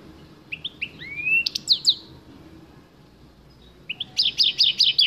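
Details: Goldfinch mule, a goldfinch-canary cross, giving scattered rising whistled notes and a few sharp chips, a pause of about two seconds, then a short burst of quick buzzy notes, over faint room hum.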